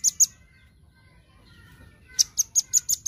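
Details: Velvet-fronted nuthatch in lively 'gacor' singing used as a masteran: two sharp, very high notes, a quiet pause with faint low hum, then a fast run of six piercing chips.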